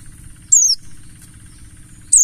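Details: Buxtoni mountain white-eye singing as a lure for kept white-eyes: two short, very high, sliding-down whistled phrases about one and a half seconds apart, with a steady low hum underneath.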